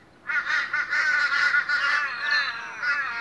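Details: Several Australian ravens gathered in the morning, calling together in a loud, continuous overlapping tangle of nasal, wavering harmonic notes.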